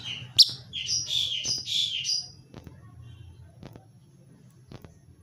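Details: Unpaired lovebird singing, a burst of high, buzzy, chattering chirps for about two seconds, then quieter with scattered clicks and a low hum behind.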